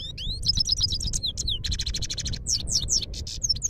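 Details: Himalayan goldfinch in song at Parachinar, a continuous fast twitter of sharp upslurred whistles, buzzy trilled phrases and repeated bright chirps, loud and unbroken over a low rumbling background.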